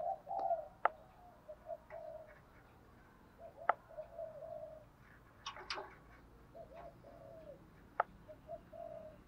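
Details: Spotted dove used as a lure, calling to provoke wild birds: mellow, repeated coo phrases in groups of several notes, with intermittent loud clicks and a cluster of knocks in the middle.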